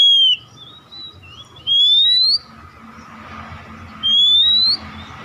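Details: Lure song of an Oriental magpie-robin, played to stir other magpie-robins into song. Upward-slurred clear whistles alternate with a few short chirps, then pause before another rising whistle, and a low hum runs throughout.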